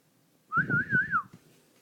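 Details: Pet African grey parrot indoors in a desk drawer, giving a clear wavering whistle, rising and falling in four smooth loops over under a second, with low rustling and a woman speaking nearby.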